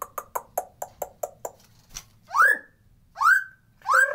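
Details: Natural white-rumped shama sound, unedited, played as a lure to make reluctant birds sing and come into breeding condition. Eight quick repeated chipping notes open, followed by three loud rising whistled slurs.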